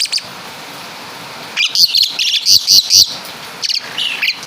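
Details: Asian pied starling native to Java, singing a song filled with imitations of caladi and kapas tembak birds: bursts of bright, high, clipped notes in a quick run near the middle, with softer chatter after a quiet start.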